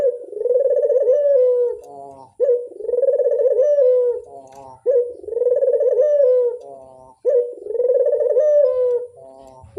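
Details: Lure call of a Barbary dove, locally burung puter: deep, vibrating coo phrases, each starting with a clipped note, swelling into a trembling hum, then fading, four phrases at steady intervals of about two and a half seconds.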